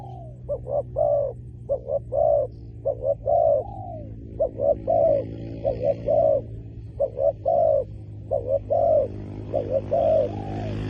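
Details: Spotted dove cooing at a ground decoy setup for luring wild doves, giving rhythmic series of short hollow notes and falling coos over a steady low mechanical hum, with faint hiss toward the end.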